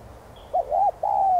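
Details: Single spotted dove coo phrase in the hạp voice, used to encourage other doves to sing: a wavering stuttered start swelling into a long, smooth, slightly falling hollow coo.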